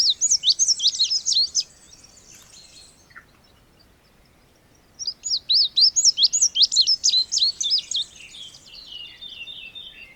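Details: Passerina cyanea, the Indigo bunting, sings two bouts of rapid high paired notes, each lasting about two seconds and separated by a pause of roughly three seconds. The second phrase ends in lower buzzy notes. Light background hiss.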